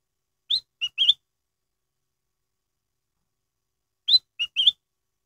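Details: Black-headed bulbul repeating its crystal-clear lure song, meant to prompt other birds to sing. A three-note whistled phrase comes twice, roughly three and a half seconds apart, each with a rising start and wavering end.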